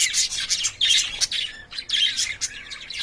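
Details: Courting lovebirds kept in a cage give two quick bursts of piercing, scratchy chirps separated by a short lull, the notes high and harsh with a thin whistled tone inside.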